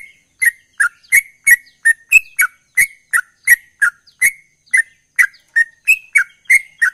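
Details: Sooty-headed bulbul singing fast and nonstop: an even string of about twenty short, clipped chirps, evenly spaced, some pitched a little higher, no other sounds.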